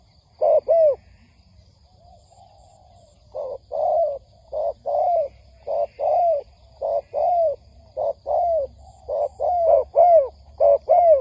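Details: Spotted dove lure call used in trapping: after a lone paired coo and a pause, a long run of short-then-long mellow coos follows at uneven intervals, with some notes overlapping near the end.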